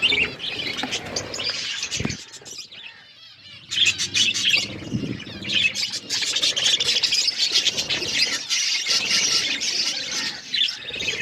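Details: Budgerigars chirping while eating food: dense, overlapping high chattering and warbling chirps from several birds, with short squawky notes and brief pauses, occasional low pecking or rustling sounds.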